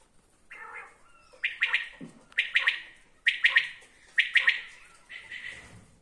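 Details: Common quail: a soft lower note first, then four loud, sharp three-pulse phrases spaced about a second apart.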